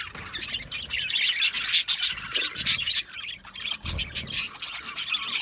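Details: Content budgies chirping as a group: rapid, irregular high twitters and sharp squeaky notes over steady flock chatter, with occasional low thumps.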